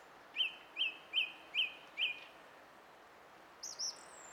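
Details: Song thrush, 20 April 2016: a crisp whistled note repeated five times at even intervals of under half a second, followed by a thin, very high looping squeak after a short pause.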